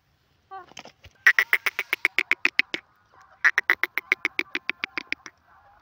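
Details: Two rapid bursts from a grey francolin: sharp, clipped metallic notes repeated about four per second, each series fading slightly toward its end, after a brief soft opening note.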